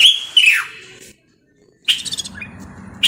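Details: Common bulbul, Moroccan: a loud whistled phrase sliding downward, a silent gap, then a second bright phrase with soft chirps and a low hum behind.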